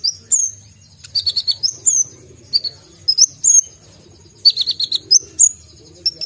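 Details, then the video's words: Sharp-voiced brown-throated sunbird delivering full-isian tembakan song: clusters of rapid high chips and quick buzzy trills alternating with clear rising whistles, phrases separated by short pauses, over a low steady background hum. "konin gacor full isian tembakan suara tajam"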